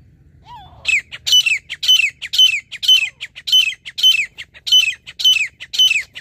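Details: Grey francolin calling loudly during a hunting outing: harsh, ringing, repeated notes in an even series about twice a second, each a strident upward-then-dropping phrase, with a short softer note before the series begins.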